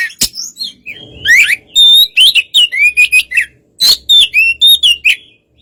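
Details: Oriental magpie-robin in relaxed song, used to provoke a less spirited magpie-robin into answering; a fast run of varied whistled and buzzy phrases, some sharply rising or falling, with brief pauses and a soft low murmur beneath.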